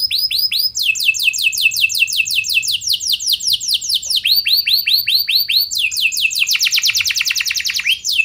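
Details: Energetic canary song used to lure other canaries into singing back: long runs of rapid repeated falling notes changing speed and pitch, with looping whistled phrases midway and a very fast dense trill near the end.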